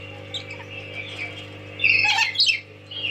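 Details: Tame lory (nuri) giving a short cluster of harsh, shrill squawks near the end after a quieter start, with a low hum in the background.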